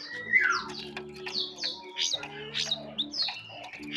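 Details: Jongkangan bird in soft ngeriwik halus twittering: a falling slurred whistle, then a string of sharp upswept and downswept chirps with a faint steady low background drone.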